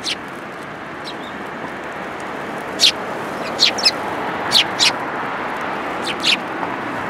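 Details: Several Eurasian tree sparrows arriving to be fed at a Tenmangu shrine, January 19, 2022: sharp, isolated high chirps spaced a second or more apart, some doubled, over soft background noise.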